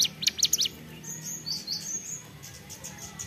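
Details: Ceplekan-style song from a mountain prinia (ciblek gunung): a short burst of sharp high chirps, then thin drawn-out whistles over a steady low hum.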